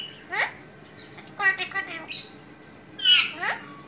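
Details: Talking Alexandrine parakeet kept as a pet gives a string of chattering, babbled syllables, some falling in pitch, with a loud, raspy squawk-like word near the end and short gaps between.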